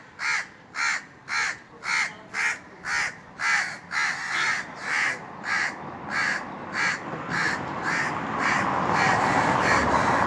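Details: Indian crows cawing atop a tree in hot summer weather: a long run of regular, harsh caws roughly every half second, gradually swamped by a rising rushing noise toward the end.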